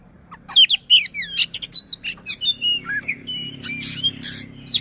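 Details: White-rumped shama of the Sisinga style, caged, singing rapid sequences of looping whistles and buzzy bursts against a low background hum.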